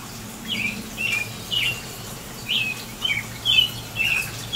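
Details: American robin singing in rain, April 22, 2018. Clear slurred whistled phrases, each rising then dropping, come in a steady caroling series of about two per second with short pauses, over soft rain patter and a low hum.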